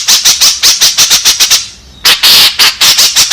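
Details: White-breasted woodswallow lure call, used to draw in others of its kind: loud harsh rasping notes repeated rapidly, about five per second, broken by a brief pause midway.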